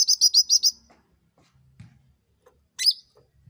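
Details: Lure sound of a sooty-headed bulbul meant to draw a quick reply: five fast, clear, high notes open the recording, followed by a pause and one more sharp chirp near the end.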